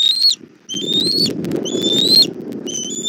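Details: Four shrill, slightly upslurred whistles from bald eagles at a Southwest Florida nest, 1 April 2024 at 17:30, during a food delivery by the mother to the chick, with rustling noise behind.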